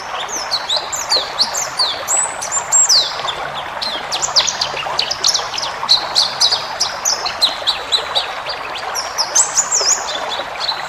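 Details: Training recording of a white-eye for cage birds: a continuous jumble of high, clipped chirps and thin slurred whistles, rapid and uneven, over a steady hiss.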